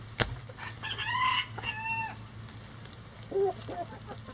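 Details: Rooster crowing in a chicken coop: two loud harmonic bursts in quick succession, each with a steady strong tone, then a short lower cluck from another bird, over a low background hum and a sharp knock at the start.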